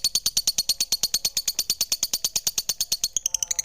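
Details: Rapid, evenly spaced high chirps from a lovebird, roughly three each second, shifting near the end into a quicker, thinner twitter with a brief low whine.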